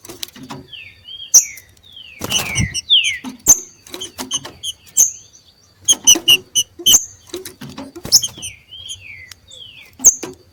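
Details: Two green-winged saltators competing in the wild; short down-slurred whistles repeat among very high thin chips, broken by frequent sharp clicks and a burst of rustling or flapping noise.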